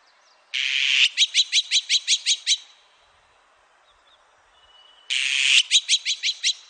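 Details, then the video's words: Azure-winged magpie recorded in 2020 by the National Institute of Biological Resources: a rough rasping burst and rapid harsh chatter of about eight notes, a pause, then another rasp with five more chattering notes. "물까치, 여러번 듣기, 곤충소리, 새소리"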